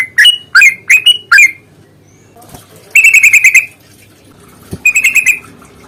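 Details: Yellow-vented bulbul lure song: several loud bubbly whistled notes, a pause, then rapid trilled chattering bursts at steady high pitch.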